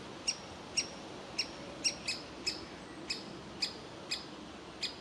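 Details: Young woodpecker waiting in the nest hole for its parents to feed it, though they want it to leave; about ten clipped high notes, roughly two per second, one doubled, over soft noise.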